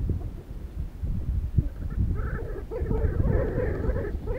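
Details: Flocks of desert sandgrouse coming in to drink water, filmed with a Sony HDR-CX405: many overlapping calls blend into a continuous chattering chorus in the second half, over heavy low wind rumble.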